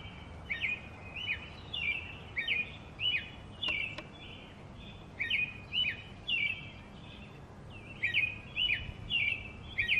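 An American robin carols in short, liquid, rising-and-falling whistled phrases, given in quick runs of three or four with a brief pause, over a low background rumble.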